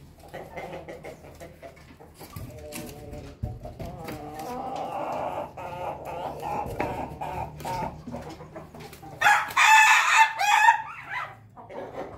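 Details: A Pelung rooster kept with hens, including Bangkok-cross hens, gives a loud, strained crow after a stretch of soft, murmuring clucks from the flock.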